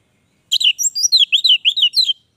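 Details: Continuous sweet warbling from an orange-headed thrush, a rapid chain of rising and falling whistled notes about a dozen strong, lasting under two seconds.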